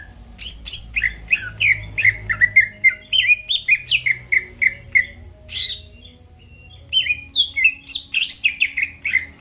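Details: Energetic greater green leafbird song used to provoke rivals: fast strings of descending whistled slurs and sharp chips, a brief pause midway, then another rapid run of varied notes.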